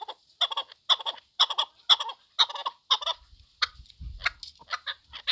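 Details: Chukar partridge calling: harsh, clucking chuck notes in a steady rhythm, about two bursts per second, each a bright rasping cluster, with softer scattered notes and a low thump near the end.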